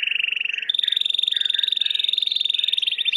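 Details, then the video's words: White Timbrado canary singing for training: a continuous fast metallic rolling trill, pulses repeated many times a second, shifting upward in pitch after half a second and holding steady, faint hum behind. "Chant de Canari timbrado / the wonderful sounds of canary bird chirping / canario timbrado cantando"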